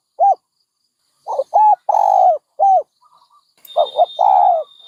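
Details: Soft dove coos: a single note, then a run of short coos and a long drawn coo. A thin steady high whistle-like tone appears near the end.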